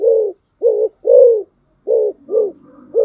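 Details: Rapid series of mellow, arched coos from a decoy spotted dove, six notes in three seconds, low and hollow, with faint higher tones near the end.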